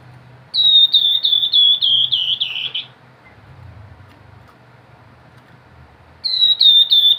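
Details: Grey-headed babbler singing actively in the 'ngebren nyiul' style: a quick run of about eight high, clear whistled notes, each dipping slightly, lasting over two seconds, then a pause with low background hum before the series starts again.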